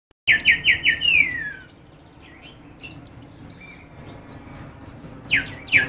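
A goldfinch opens with a fast run of five or six bright repeated notes that slide downward, then gives thin, high twittering notes and a loud final burst.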